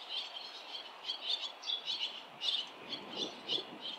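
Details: Barn swallow fledging scene with parents and other young close by on a nesting street; rhythmic, high, clipped chirps, several each second, quieter and steady throughout.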